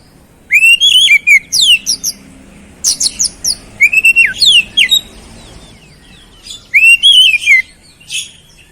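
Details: Oriental magpie-robin singing vigorously, its song filled with flowerpecker-like phrases: loud bursts of sharp whistled notes sliding down and up around the upper-middle range, separated by short pauses, with quick high chips between phrases.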